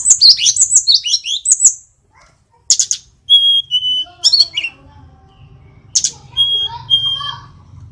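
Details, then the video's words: Sulingan, also called tledekan, a mountain flycatcher of Indonesia, singing vigorously: bursts of high, fast twittering and sweeping whistles, a short pause, then level whistled notes and sharp chips, with a faint low hum beneath. "Sulingan gunung / Tledekan gacor"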